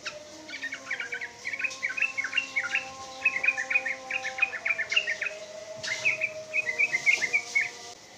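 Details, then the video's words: A sooty-headed bulbul in good song gives long runs of fast, bubbly chattering phrases in bursts of about a second, one after another, over faint steady hums and tones. "Trucuk Gacor ROPEL PANJANG"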